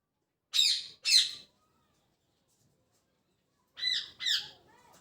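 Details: Morning chirping from a parrot: two loud, rasping squawks in quick succession, a long pause, then two more slightly softer harsh notes, in a quiet room.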